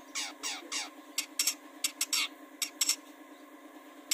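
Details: Long-tailed shrike, cendet, played to lure birds into singing: three harsh falling squawks followed by scattered sharp clicks and rasps, with a continuous electrical hum beneath.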